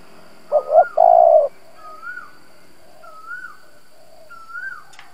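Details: Lure spotted dove cooing to provoke rival doves. One loud phrase of two short notes and a long coo opens, followed by three rising-falling whistles from another bird and soft, distant low coos.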